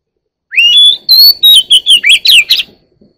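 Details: A year-old Oriental magpie-robin sings clear whistles climbing in pitch, then a brisk series of seven or so sharp, downslurred chirps, loud against a quiet background.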